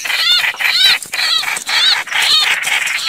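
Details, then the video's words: Chao chảo bird call, a recording used to lure birds into traps: harsh, raspy bursts with arched, ringing overtones, repeated about twice per second with short gaps between them. "Tiếng Chim chao chảo/rất nhạy bẫy chim"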